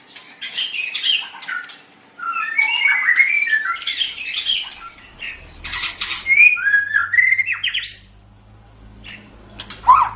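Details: White-rumped shama song on a master track for training other songbirds: dense bursts of rich varied warbling and whistles, a brief pause, then clearer rising whistled phrases; faint low hum.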